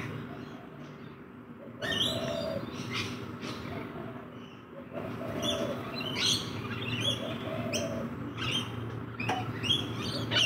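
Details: Rainbow lorikeets feeding in a backyard: bursts of shrill, grating screeches and chatter, irregular and increasingly frequent after a quieter start, over a constant low hum.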